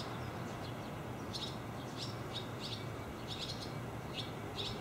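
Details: Young barn swallow calling with brief high chirps in small clusters every second or so, set against constant low rumble and outdoor noise.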